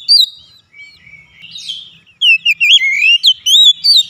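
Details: Melodious oriental magpie-robin song meant to stimulate untrained birds that are slow to sing, with a few thin whistles, a brief scratchy chatter, then a rapid flourish of loud looping whistles.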